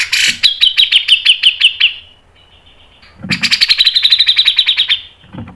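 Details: Cucak jenggot masteran in the speed rapat style: two runs of rapid, sharp notes, about ten and then about fifteen, with soft low thuds at the start and end.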